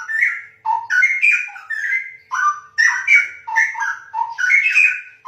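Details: Cucak rowo, the straw-headed bulbul, giving a continuous loud melodious song: fluty, bubbling whistles that rise and fall in quick linked phrases about every half second, with no other sounds.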